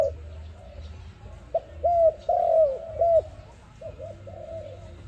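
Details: ARIMIX dove whose call serves as a trapping lure: soft low coos, a few short arched notes followed by longer drawn-out hoots, with quiet low rumble beneath and gaps of near silence between phrases.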